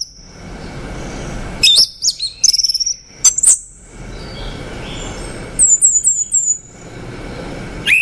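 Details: Male orange-headed thrush singing: sharp high whistled phrases with quick slurred notes, short bursts separated by pauses, ending in a rising whistle, over a faint steady background hiss.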